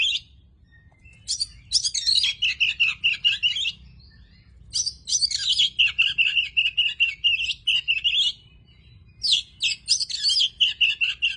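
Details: Tame Oriental magpie-robin singing in three bursts of rich, rapid, varied warbling with repeated chattering notes, separated by short pauses; steady low hum underneath.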